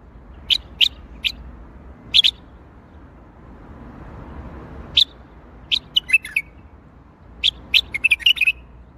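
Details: Bulbul singing in the Baghdadi style: short, sharp high chirps in spaced bursts, a pause of nearly three seconds, then quicker clusters of bright notes and a brief warbled phrase near the end, over a faint low hum.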